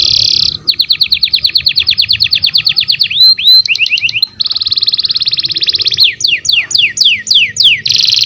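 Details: Young canary singing loudly: rolling trills of fast repeated downslurred notes, a dense buzzy rattle, then a run of slower looping whistles ending in another harsh buzz.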